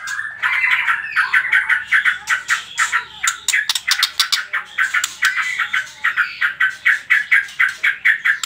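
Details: Trotol-style song of a white-rumped shama, played to provoke other birds to sing: a steady pulsed rattle of sharp notes, about three per second, throughout.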